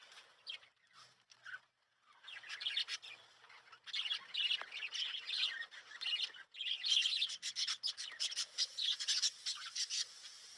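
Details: Lovebirds kept at home at night around sleeping time: sparse soft chirps at first, then a short pause, and from four seconds a steady rush of shrill, rapid twitters and squeaks that grows denser.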